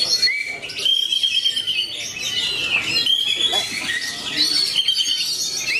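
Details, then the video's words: A competition Oriental magpie-robin sings a loud, varied, nearly continuous run of whistles, sweeps and scratchy chatter between about two and eight kilohertz. "KACER MASAKINI KECER MATADOR TAK KENDOR"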